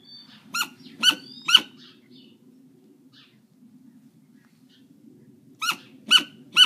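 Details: A captive great grey owl at a raptor aviary in Provins, France, gives two bursts of three sharp, high, squeaky notes about half a second apart over a low steady hum.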